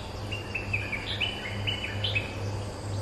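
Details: Territory-holding streak-eared bulbul replying to lure calls: clipped, slurred whistled notes in quick succession, a few sharper upward flicks near the middle, with a constant low hum and light background noise.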